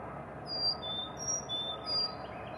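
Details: A Carolina chickadee sings clear, pure whistles alternating high and lower notes, fee-bee-fee-bay, over a steady background hiss, on 17 April 2020 at 08:30 EDT.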